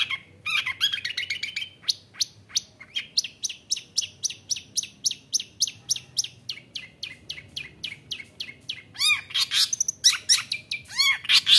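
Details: Long-tailed shrike song used as a lure to provoke other shrikes into singing and fighting: rapid runs of harsh, scratchy and chattering notes at about four per second, mixed with sharp high chips and louder rasping bursts near the end.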